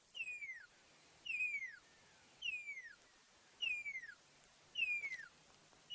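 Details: A Pearl-spotted Owlet in a tree in the African bush on a sunrise drive, 7 August 2016, gives five loud, clear whistles that slide downward, about one a second, over a quiet background.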